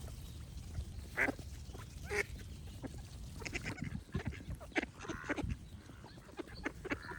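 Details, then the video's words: Two louder, drawn-out quacks stand out early, followed by a stream of quicker, overlapping duck calls above a low continuous rumble. "Cute Ducks Quack Sound Effects with Birds Singing"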